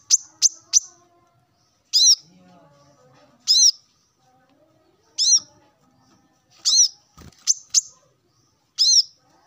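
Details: Male plain-throated sunbird singing in the morning to call rivals: three quick sharp high chirps, then single arched, ringing notes about every one and a half seconds.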